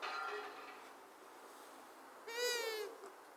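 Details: Female long-eared owl hooting: two drawn-out nasal calls rich in overtones, a fainter one at the start and a louder one about two seconds later, in a quiet setting.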